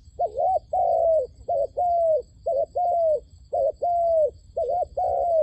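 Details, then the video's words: Trap decoy dove calling nonstop to draw in wild doves: paired hollow coos, a short dipping note then a longer, level falling one, repeated about once a second, clear over faint background hum. "ឱ្យតែជួបលលកព្រៃ ធ្នាក់ហៅបរសឹងដាច់ខ្យល់"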